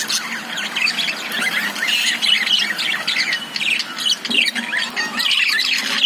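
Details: Caged lovebirds give a steady, dense chatter of high squeaky chirps and scratchy twitters, overlapping with no clear gaps.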